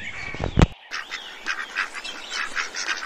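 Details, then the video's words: A domestic duck gives a fast run of short, nasal quacks, several per second, after a brief loud thump at the start. "Mengenal Unggas dan suaranya : ayam, bebek, angsa, puyuh, kalkun"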